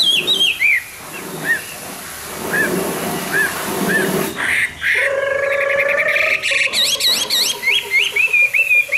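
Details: Hwamei singing in the morning: slurred whistled notes rising and falling, interrupted midway by a loud harsh broadband burst, then quick wavering whistles resume.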